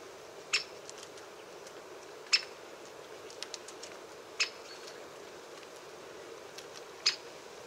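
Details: Great spotted woodpecker giving four short, sharp, emphatic 'kik' notes spaced about two seconds apart, each a brief bright click with a ringing tone, over steady low background hiss and a few faint ticks.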